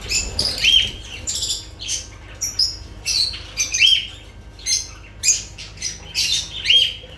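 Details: Several sharp, piercing lovebird squawks and chirps, repeated about every half second to second in quick irregular bursts, with a low background hum.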